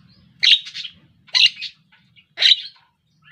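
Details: Javan myna learning to sing gives three loud, harsh, scratchy bursts about one second apart, each with a short trailing rattle, over faint low background hum.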